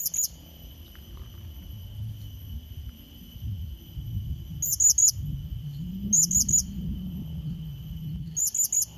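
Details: Lure call of the blue-crowned hanging parrot, meant to challenge a rival: groups of three piercing high squeaks recurring every second or so to few seconds, against a steady faint whine and low background murmur.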